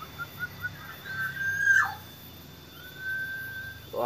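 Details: Young green pigeons aged nine days during early-morning hand-feeding; short whistles, then a long level whistle ending in a steep downward slide, and another steady whistle trailing off.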